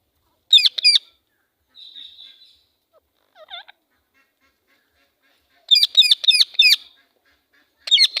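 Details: Female Indian ringneck parakeet giving its angry call: two bursts of harsh, ringing screeches in quick rows of two to four notes, separated by a softer buzzy note and a short squeal, in otherwise quiet surroundings.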